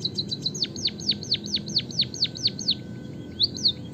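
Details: Javanese white-headed munia delivering canary-like song as a master for other birds: rapid even series of bright whistles, each dropping sharply in pitch, around two per second, ending in two quieter notes.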